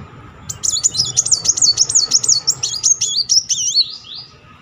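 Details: Muncang sunbird in full rolling song, meant to trigger singing in quiet birds: one unbroken, very high, rapidly wavering trill of about three and a half seconds, with a few sliding notes at its close.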